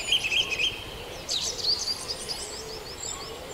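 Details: Quieter moment of dawn chorus at Farndale: a few clear chirps and a thin trill early, then faint, evenly spaced high notes in the background.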